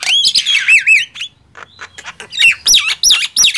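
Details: Singing duel of a Nias hill myna and a javan myna: wavering whistles, a short lull, then bold rising-falling whistled phrases with squawky edges.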